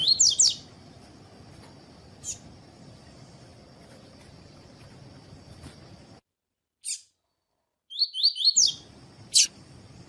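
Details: Double-collared seedeater singing in the tui-tui style favoured in seedeater tournaments, used to warm up other birds. Short bursts of high, falling slurred whistles begin and end the recording, separated by clicks and a brief silence.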